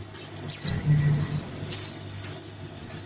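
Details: Crimson sunbird chick calling for its parent, a lure sound for sunbirds reluctant to come down: a shrill falling squeak, then a fast trill of high, even chips, with a low hum beneath.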